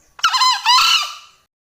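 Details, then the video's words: Male Green junglefowl crowing: a short hoarse two-part crow, a rough opening note, then a longer scratchy note fading out, all over in about a second; quiet otherwise. "Suara ayam hutan jantan || Green junglefowl"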